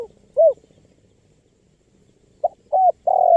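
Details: Spotted dove (tekukur) recording for luring wild birds: an isolated falling coo, a pause, then the start of a phrase with a clipped note, a short coo and a longer drawn coo.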